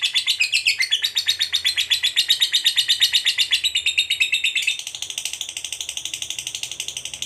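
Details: Fighter lovebird giving a long ngekek trill, used as a lure to provoke a rival. A fast, buzzy, evenly pulsed chatter runs for about seven seconds, with the pitch shifting slightly partway through.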